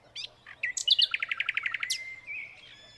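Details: A silvereye in New Zealand, feeding on an apple, gives high, thin chirps breaking into a quick run of about ten sharp, evenly spaced notes, then a fading trill, in a quiet background.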